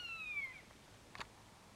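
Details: A single plaintive mew from a common buzzard: a clear, slightly descending whistle lasting about half a second, then quiet apart from one brief knock.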